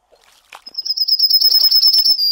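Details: After soft clicks, a Yellowhammer (Emberiza citrinella) launches into a rising series of rapid high repeated notes that ends in a held, steady note.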